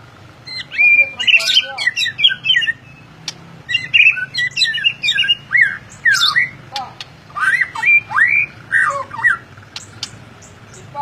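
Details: White-rumped shama in full ngeplong song, delivering a steady stream of clear whistled notes that slide up and down, mixed with quick chips and scratchy clicks.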